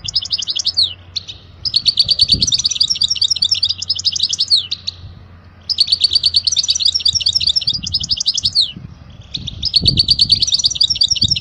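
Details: European goldfinch pouring out a teaching song for young birds: long, dense twittering phrases of rapid liquid trills and buzzes, in three extended bursts with short pauses between them.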